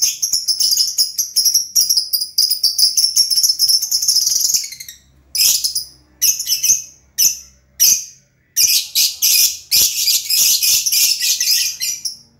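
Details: A colourful lovebird, said to be always cheerful, gives long runs of rapid shrill twittering broken by separate sharp squeaks, then returns to dense, fast chatter.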